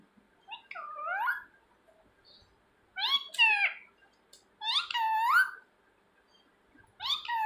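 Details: Talking pet parrot calling for its owner indoors; four choppy, speech-like phrases, each with rising inflections, spaced one to two seconds apart.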